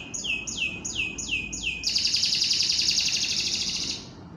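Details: Canary singing gacoran, a competition-training style: five swept whistles falling in pitch, each about half a second apart, then a bright rattling trill held for about two seconds before fading.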